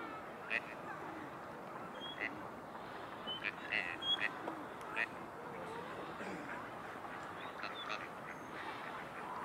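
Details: A male Gadwall, one of a pair, quacks quietly in short, soft scattered bursts, warning a rival drake a few yards away to keep away from his mate, with a few thin whistled notes over a murmur of background noise and other waterfowl.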